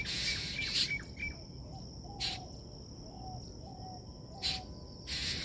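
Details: A Black drongo at Bangabandhu Hi-Tech City, Kaliakair, Gazipur, Bangladesh, on 3 June 2024 gives short high chirps, then a run of soft, even notes about every half second, with sharp bursts and a steady insect drone behind.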